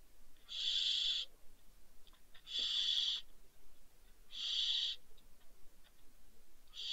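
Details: Barn owl owlets fallen from a balcony, Riet Vell reserve, Ebro Delta, Spain, December: harsh hissing screeches of under a second, repeated about every two seconds over soft background noise.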